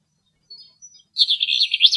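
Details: A very young, wet eastern black-eared wheatear in Greece, drying in the sun and preening after bathing, sings a few faint, thin high notes, then a dense, scratchy, chattering warble lasting almost a second.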